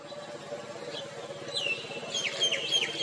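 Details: Male Crimson sunbird giving sharp, high, downward-sweeping chirps, a single note near the middle then a quick run of four or five closely spaced notes toward the end, over a steady low engine-like hum.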